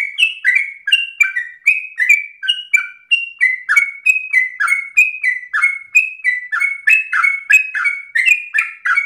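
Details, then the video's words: Energetic 'narung ropel' song of a sooty-headed bulbul, meant for luring and tutoring other birds: quick, chattering series of downward-slurred whistles that rise and fall in pitch from phrase to phrase. "Trucukan gacor narung ropel ngotot paling Bagus untuk pancingan masteran"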